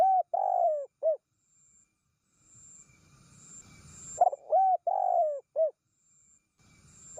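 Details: Spotted dove calls played to attract wild doves: soft, hollow coo phrases with a brief opening note, a drawn-out descending coo and a clipped final note, separated by a few seconds of quiet background hiss.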